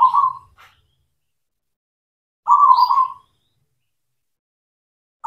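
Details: Zebra dove lure song for training mute or stalled doves to sing again: a clipped phrase's tail, then one full burbling cooing phrase about three-quarters of a second long, and the start of the next after a pause.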